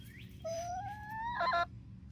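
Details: Flock of 19-week-old chickens, three Barred Rocks and four Gold Stars, in Grimes County, Texas, near Iola: one long, rising, tonal squawk held for over a second, ending in a harsh, louder break.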